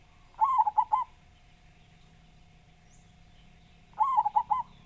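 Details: Local zebra dove noted for a strong, big voice; two phrases roughly three and a half seconds apart, each opening with a clipped note then a quick run of rolling, bubbly coos, with a low constant hum behind.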